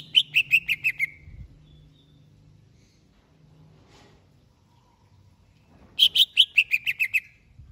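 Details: Greater green leafbird prepared for a singing contest delivers two bursts, each of roughly seven or eight loud, ringing notes in a rapid falling series, separated by several seconds of near silence.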